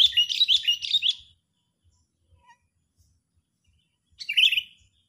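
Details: Sooty-headed bulbul calling agitatedly as a trapping lure: a quick run of bright, chirping notes in the first second, then silence, then a short harsh burst of chirps near the end.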